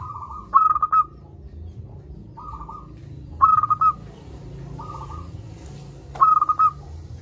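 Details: Steady song from a loud local zebra dove: five rapid cooing phrases of clipped pulses on one pitch, bold pulsed ones trading with softer rolling ones every second or so, over low background hum.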